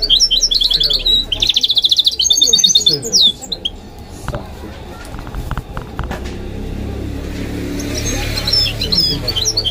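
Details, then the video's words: Goldfinch × canary hybrid (mule), a kept bird said to sing nightingale and other birds' songs, opening with fast, high, buzzy trills of repeated notes for about three seconds, then a noisy pause and faint twitters near the end. "The maestro's singing is amazing - the goldfinch hybrid"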